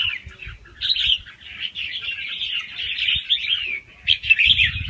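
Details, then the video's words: A young red-whiskered bulbul taken from the wild sings a gentle, rapid song with a doubled phrase, meant to stimulate listening birds. Bright chattering phrases flow almost unbroken, ending in a louder burst of sharp notes. "ลูกนกกรงหัวจุกป่าคัดหัวปากเบาๆ รอบเร็ว มีลักเบิ้ล ใว้เปิดกระตุ้นนกฟังนกคึก"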